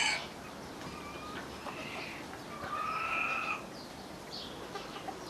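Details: Distant roosters on a sunny, cold day in Normandy: a short strained crow, then a longer drawn-out crow of about a second, exchanged between neighbouring cockerels over steady outdoor hiss; the owner believes they are warning of rooks or jackdaws flying over.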